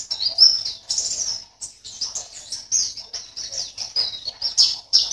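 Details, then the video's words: High, thin twittering song from a caged white-eye entered in an Indonesian online singing competition, Sambas, West Kalimantan. Fast tumbling chirps come almost without a break, rising and falling in sharp little phrases. "LOMBA PLECI ONLINE 16 - Aksi Pleci"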